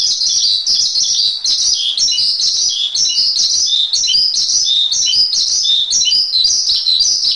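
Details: Javan pied starling song in masteran style: lively high chirps and short downslurred notes in bunched phrases, continuous and fairly loud.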